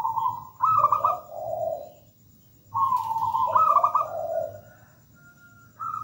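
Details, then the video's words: Local zebra dove singing actively and melodiously: two phrases, each opening with quick stuttered coos that step down into lower, rolling purred notes, then a new phrase begins at the end; soft low hum underneath. "PERKUTUT GACOR MERDU MEWAH"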